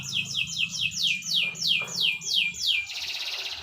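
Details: Canary song: a series of loud descending whistled sweeps repeated about three per second, then a buzzy trill, with low background hum.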